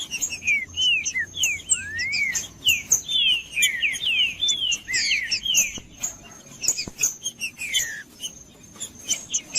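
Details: Loud phrases of slurred whistled notes from a green-winged saltator, rising and falling and densely packed in the first half, then sparser, with sharp high chirps throughout. The song is meant to warm a cold bird into singing.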